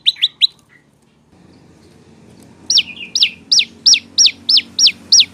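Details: Olive-backed prinia song for training cage birds: a few quick chirps, a pause with rumbling background noise, then eight loud hooked, falling notes about three per second.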